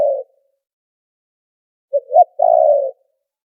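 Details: Spotted dove lure call for trapping, noise-filtered: the tail of a buzzy coo, then after a pause one complete phrase of a short note, a rising note and a long rough coo falling gently in pitch.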